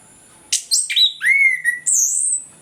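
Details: Morning ngeplong song of an orange-headed thrush, a lure for sluggish birds. Clear sequence of fast whistled notes: a sharp high note, a short buzzy phrase, a sweeping down-slurred whistle, then a long high thin note.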